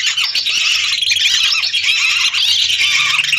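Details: Lesser whistling ducks calling in a flock of hundreds, recorded as a trapping lure: a constant, dense chorus of shrill twittering whistles, loud and steady from start to finish.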